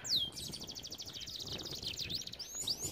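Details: Canary training song, fairly quiet: one sharp descending note, then a fast even trill and a few high upward chirps above background noise.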